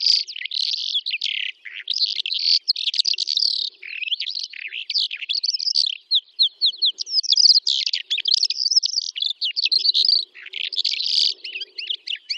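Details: A Calandra lark sings in the Astrakhan trans-Volga steppe, Russia, in May 2017, pouring out a fast, unbroken stream of scratchy chirps, trills and high warbled notes, with short rattling runs and no other sounds.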